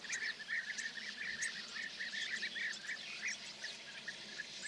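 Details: European bee-eaters in Hungary on an early May 2024 morning, large groups passing near perches set out for them: many short, rolling, trilled notes repeated quickly, overlapping from several birds, with a soft hiss of background noise.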